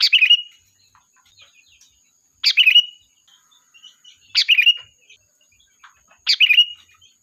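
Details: Lively sooty-headed bulbul serving as a flock-calling lure. Four brief gurgling phrases, each a bright high note sliding into a chirpy trill, come roughly every two seconds. Soft twitters fill the gaps over a faint constant whine.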